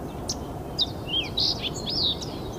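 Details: Fox sparrow singing at Iona on Thursday, 28 September 2017: a short run of clear, slurred whistled notes sliding up and down, rising in loudness toward the end, over a steady low background rumble.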